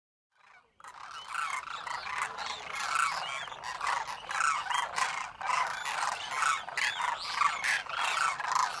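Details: Demoiselle cranes (Anthropoides virgo) calling in a dense flock: overlapping, rolling, trumpet-like croaks, several each second, with no clear gaps between birds.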